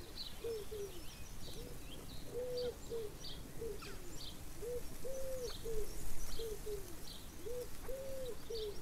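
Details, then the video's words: Chukar partridge calling steadily, with repeated arched, throaty notes in rhythmic groups of two or three, roughly every second throughout. Faint high chirps from other small birds sound in the background. "Πέρδικες / Alectoris chukar"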